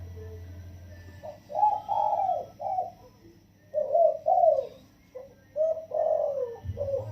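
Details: Spotted dove, wild-caught and caged for 16 days, cooing the single-kuk 'yon kuk diao' pattern in a soft, pleasing voice; three clear phrases of low, smooth hooting notes, each a few notes long, over faint hum and quiet surroundings.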